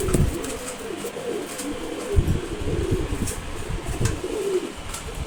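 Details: ['One-month-old Maxi racer pigeon chick, a strong flier; low wavering coos rise and fall in several phrases, with occasional thumps and room noise.']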